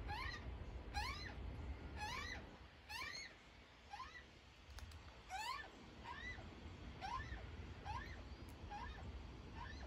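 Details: Young magpie being fed by its mother, giving repeated rising, harsh two-part begging calls about once a second, layered with harmonics, over low rumbling background noise.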